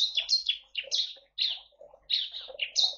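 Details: A bar-winged prinia sings naturally in a colony aviary in East Kalimantan, housed with white-eyes, finches and munias: rapid bursts of sharp, high chirping notes, pausing briefly between quick volleys, with softer low notes underneath.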